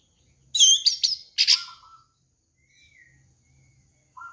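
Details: Orange-headed thrush song played to lure and train a young bird: loud bursts of high, sharp chirps, then a lower whistled phrase, a pause with a faint rising note, and another low whistle at the end.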